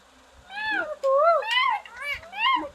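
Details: A green parrot speaks a few nasal, speech-like syllables with swooping, rising and falling pitch over about two seconds, in a small indoor space.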